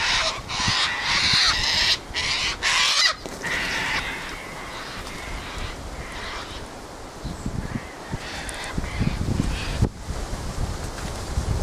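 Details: Sulphur-crested cockatoos gathering at a favourite spot: loud, raspy screeches and squawks crowd the first three seconds, then quieter scattered squawks follow amid low wind-like rumble, with one more sharp burst near the end.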